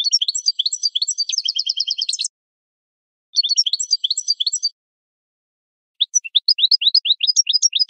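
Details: European goldfinch; song; training song for teaching captive birds to sing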